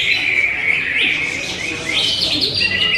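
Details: Greater green leafbird delivering high, clear whistled phrases that rise and fall, with sliding notes and a brighter upward flourish near the end, sung over faint background chatter.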